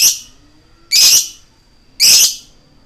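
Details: Lovebird 'koek' lure call meant to make other lovebirds excited: three loud, rasping shrieks, each about a second apart.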